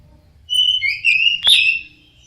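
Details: Orange-headed thrush singing one sustained whistled phrase with gliding notes, broken by a sharp click midway.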